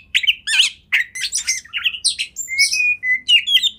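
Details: Kacer, or Oriental magpie-robin, in a master song for training other birds: quick scratchy notes giving way to clear, level whistles and high ringing phrases, repeated in fast succession.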